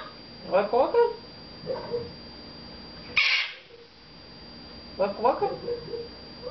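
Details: Red-fronted macaw kept as a pet babbles speech-like phrases to its owner, clusters of warbling syllables with a brief hiss in the middle, indoors with a steady background hum.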